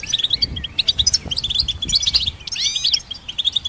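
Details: Song of a goldfinch hybrid: busy twittering of high tinkling notes, a swooping rising whistle and rapid chirps repeated in close succession.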